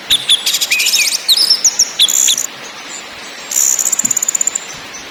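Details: Orange-headed thrush singing in ngakrak, ngeplong and nyiul styles as a lure for caged birds: dense buzzy rattles woven with whistled slurs, a pause, then a high steady rattling trill.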